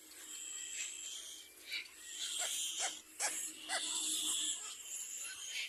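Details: Little black cormorant attacking its own young: a series of thin, wheezy, harmonic calls, some long and drawn out and others short and sharp, coming in irregular bursts against a steady hiss.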